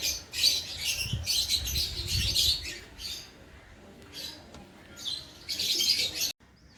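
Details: Lovebirds of lutino, orange sun and carnur color forms kept as a breeding pair, giving bursts of high, scratchy chirps in quick irregular clusters, with a low rumbling background and a pause near the middle.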